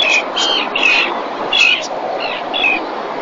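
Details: Breeding common terns at Marismas Negras, Astillero, Spain, 2021, during a fish delivery to the mother, seen on webcam; six clear, sharp down-slurred 'kee-arr' calls in quick succession against background hiss.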